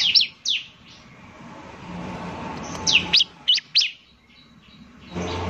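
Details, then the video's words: Bar-winged prinia, semi-gacor bird, as a lure sound: a few sharp, high descending chirps near the start, then a quiet gap and a cluster of four quick high chirps, over low background hum. "pancingan suara ciblek semi gacor."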